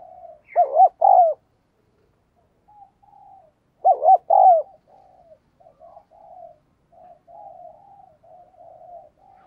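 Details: Decoy spotted dove cooing to excite rival males. Two loud phrases about three seconds apart, each a bubbly double coo and a longer drawn coo, separated by softer murmured coos.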